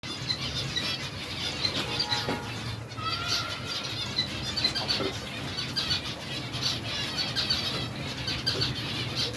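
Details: Aviary finches, on the first day of trying to get them to feed from the hand, chirp in a steady, high chatter, with bursts of fluttering wingbeats throughout and a low background hum.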